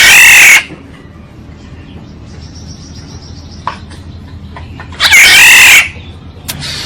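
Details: Oriole heard in a recording played as decoy: two loud, raspy, nasal squawks about five seconds apart, with quiet clicks between them.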